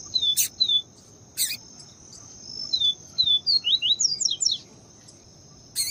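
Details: Yellow-bellied seedeater (papa-capim), 'viviti' song style with female calling to excite the male: short down-slurred whistles, then a quick run of rising and falling notes, over a steady high insect-like hum with sharp clicks.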